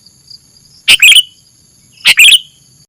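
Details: Sooty-headed bulbul song used as a bird lure: two loud, bubbly phrases about a second apart, each a short run of sliding chirps, with a soft constant electronic whine.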